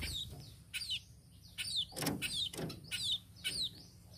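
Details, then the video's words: Tame sparrow calling with thin, high, down-slurred chirps in short groups, separated by a couple of dull knocks and a low hum underneath. "BURUNG PIPIT"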